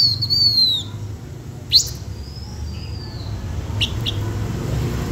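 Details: Blue-winged minla song used as a lure: a high falling whistle at the start, then a sharp upswept note, a long thin sliding whistle and a few brief clicks, all against a steady low background hum.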